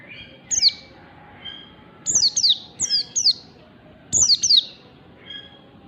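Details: Oriental white-eye ngalas-style morning song meant as a tutor for pet birds: crisp, high, falling whistles, mostly in doubled notes, repeated in several bursts, with a faint soft tone between phrases.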